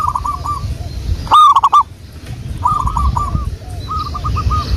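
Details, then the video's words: Zebra dove song of the local wild type, recorded as a lure. A near bird delivers a sharp, stuttered coo burst, then farther doves answer with short rolling strings of soft coos. "pancingan burung perkutut Lokal alam"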